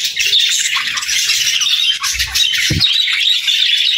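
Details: Singing parakeets, a dense, ongoing mix of raspy warbles, chirps and squawks, with a sharp low knock shortly before the end.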